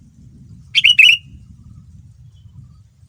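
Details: Single rapid phrase of two or three bright, slurred chirps from a sooty-headed bulbul, used as a lure to get other bulbuls responding, heard over a continuous low rumbling background.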